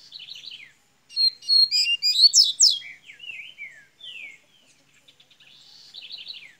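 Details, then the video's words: Double-collared seedeater from Minas Gerais, Brazil, starting its song: a cascade of fast, bright chirps and sweeping whistles, then descending slurs and a closing trill of rapid notes. "coleira golinha de minas gerais abrindo canto"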